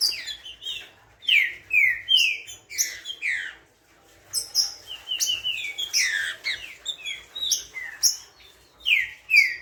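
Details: Spirited green-winged saltator (trinca-ferro) in full song: bright slurred whistles and quick twittering phrases in bursts, a short silent gap near the middle, then more loud downward-sweeping whistled notes.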